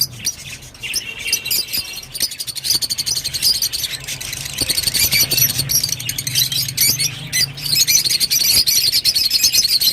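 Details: Rosy-faced lovebird singing in a continuous stream of fast, scratchy chirps and twitters that grows louder and busier toward the end, with a low steady hum underneath.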